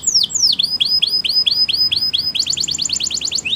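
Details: Waterslager canary training song with looping downward sweeps, then a string of even, curved whistled notes about four per second, closing with a quick rattling trill of short high notes.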